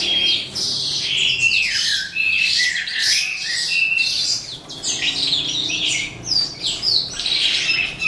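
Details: Calandra lark, eastern form, singing at the close of the day: squeaky, harsh chirps and mimicking twitters rush by in a ceaseless, excited, high-pitched medley.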